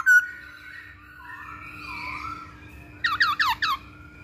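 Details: Masked laughingthrush song used as a lure for training birds: long wavering whistled notes drifting up and down, then four quick loud descending slurred notes at the end.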